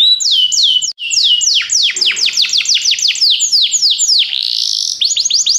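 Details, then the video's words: Belgian canary singing to set off other canaries: brisk repeated down-slurred whistles speeding into a dense cascade of falling notes, a brief held high buzz, then renewed quick chirps. "canário especial para seduzir todos os canários - canário belga cantando"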